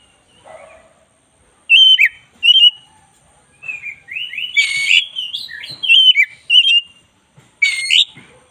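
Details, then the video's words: Black-breasted oriental magpie-robin, singing hard for use as a tutor recording: short loud whistled phrases separated by silences, then a longer run of bubbling, slurred notes and rasping accents, ending with another sharp burst. "10 menit masteran kacer dada hitam GACOR"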